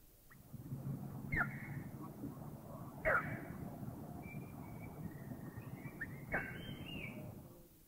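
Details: Striated (little) heron giving three sharp, harsh single calls a couple of seconds apart over low rumble, with faint thin whistles of other birds; recorded in Thai national parks (Khao Yai, Doi Inthanon, Doi Suthep-Pui, Chae Son).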